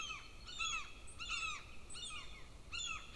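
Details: Golden eagle nest with two chicks in Lahemaa, North Estonia, filmed by nest camera on 25 June 2024 at breakfast; short bursts of high, harmonic, downslurred squealing calls come in clusters about every half second to second.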